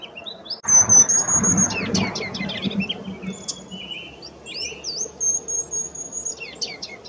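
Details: Ruby-crowned kinglet filmed in May 2018 while constantly moving to catch insects; high thin whistles and twittering notes, then a long sustained high whistle and rapid descending chattering series, some low rustling at the start.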